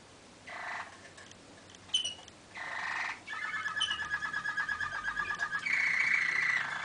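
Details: Malinois waterslager canary, 2013: short bursts of trilling separated by quiet, then a pulsing bubbling roll repeated about three times a second and a final sustained trill.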